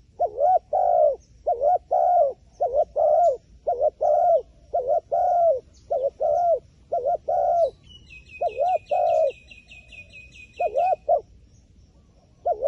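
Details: Repeated low coo pairs from a wild pigeon, while another small bird gives a quick high chattering series partway through; cooing tapers off with a pause before a final phrase.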